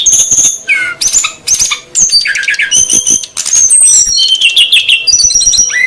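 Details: Female and male SRDC birds, noisy lure calls for attracting wild birds: bursts of high piercing notes separated by short gaps, then a denser run of buzzy chirps and whistled phrases.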